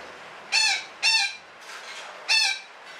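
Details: Betet parakeet calling in the 'ngekek panjang' style: three rasping, harsh squawks, two close together and a third after about a second, with faint background hiss.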